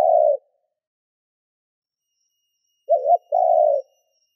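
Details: Lure spotted dove used to excite wild doves. A trailing coo ends, then after a long silence comes a doubled hooked coo followed by a drawn-out mellow note.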